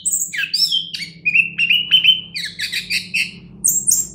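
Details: Orange-headed thrush, a competition-grade songbird, singing a rapid varied song of bright whistles, slurred notes and buzzy high phrases, with some notes swooping down and others held flat.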